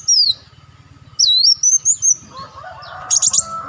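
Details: Olive-backed sunbird, played as a lure: a high descending slurred whistle, then a sustained wavering high trill, with a low rhythmic hum and a brief buzzy chatter near the end.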